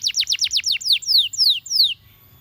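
A Belgian canary sings a fast trill of about eight quick down-slurred notes, then four longer, slower descending whistles, all high and clear, with a faint low hum behind.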